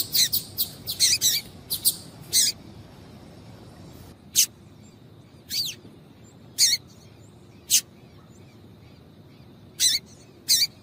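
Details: Female double-collared seedeater call for prompting a male to sing: a quick cluster of bright high chips at the start, then isolated sharp notes spaced one to two seconds apart in near silence.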